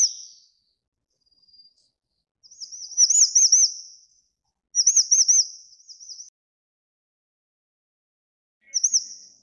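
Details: High-pitched grey-chinned minivet calls: short bursts of four or five rapid, looping whistled notes repeated every couple of seconds, with a brief faint note between and clean silence around them.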